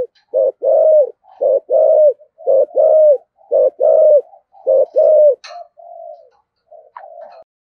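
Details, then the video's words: Spotted dove in giọng thổ voice, thúc gù coo: rhythmic deep coos in doubled pairs, about one per second, easing into softer drawn-out murmurs after a sharp click. "Tiếng chim cu gáy giọng thổ thúc gù cực đỉnh"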